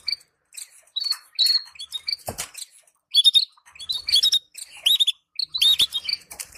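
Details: Canary song for stimulating breeding pairs. Scattered high chirps build into louder twittering bursts with swooping notes, broken by a sharp crackle near the two-second mark.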